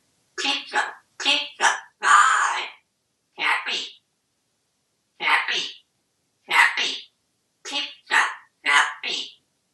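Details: Pet male African grey parrot, hatched in 1997 and kept indoors at a home in Texas, a very talkative bird, speaks about eleven clipped, word-like syllables in short bursts with brief pauses, clear and close, no other sounds.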